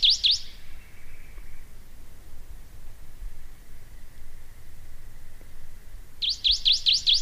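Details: ['Canyon towhee: the end of one quick series of sharp, looping notes, then a gap of steady background hiss before a second fast run of five or six similar ringing notes.']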